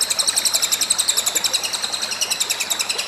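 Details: Nonstop cililin song, loud and busy: high, piercing notes repeated rapidly and regularly, close to four per second, filling the whole short stretch.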